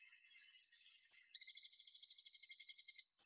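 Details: Merlin call played back as a bird sound to memorize: a soft, wavering opening, then a rapid, even chatter of sharp high notes, about a dozen per second, for nearly two seconds.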